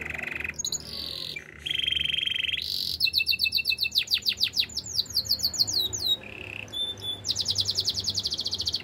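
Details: Extended canary song mixing low rolling trills, a buzzy tour, cascades of rapid downswept notes, a brief whistle and a quick high chattering rattle.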